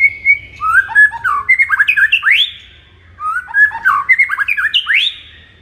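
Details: Two phrases of White-rumped shama song, played in the morning to excite a kept bird: each starts with soft whistles, then speeds into tumbling chirps and ends on a bright rising sweep.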